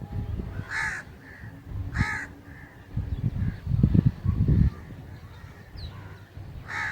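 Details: Scattered harsh crow caws, each short and rasping, at irregular intervals, with low rumbling and knocking noises in the middle of the recording.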